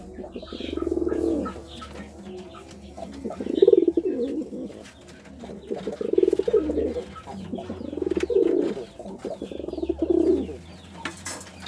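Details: Pigeon courting with five low, throaty coo bouts at roughly two-second intervals, each a rolling, pulsed murmur, over a soft indoor hum and light clicks.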